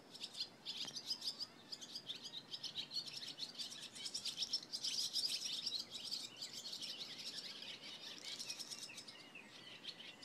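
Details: On a July 27 morning, barn swallows keep up a busy, high twittering chatter of quick chirps and buzzy notes, several birds overlapping without pause.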